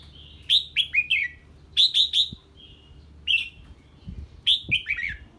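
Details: Red-whiskered bulbul answering an unfamiliar bird with loud whistled phrases of three falling notes each, repeated several times, plus a few soft clicks and low hum.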